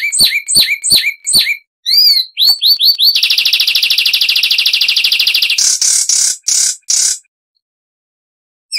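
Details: A bright, varied song of Zapata wren (Ferminia cerverai), a Cuban bird of lowland scrub and swamps: sharp downslurred whistles, a long rapid buzzy trill, then a few harsh notes before quiet.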